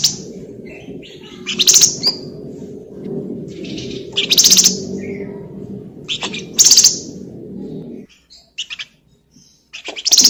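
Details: Flamboyan in energetic song, used to stimulate other birds to sing: loud, harsh chattering bursts about every two to three seconds, with softer high twitters between them over a low steady background hum.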